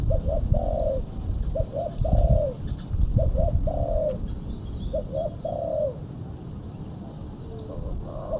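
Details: Female spotted dove calling as a lure for other doves: a three-note coo of two short notes and a longer drawn-out one, repeated about every 1.6 seconds over a heavy low rumble.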